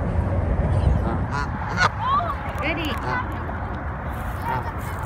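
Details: A pair of wild Canada geese in New York City give short, nasal, angry-sounding honks and harsh calls at an irregular pace over a steady low city rumble, with some voices and music in the background.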